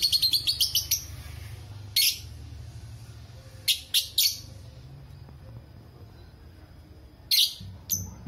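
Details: Caged lovebird singing, used as a master recording to train or lure other lovebirds: rapid series of sharp high chirps at the start, then scattered loud harsh chirps among steady low hum and faint background noise.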